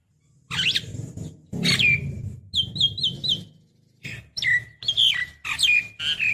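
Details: Javan myna, a female calling a male, used to lure other birds: harsh squawks and a run of short falling whistles over a steady low hum, then sharp chirps and drawn-out slurred notes.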